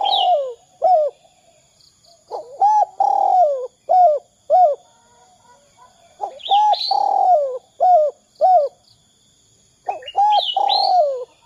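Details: Spotted dove call in the 'kuk 2' style, a lure to get other doves calling: three rounds of short hooked coos and a long rough falling coo, each opened by a sharp high whistle from another bird.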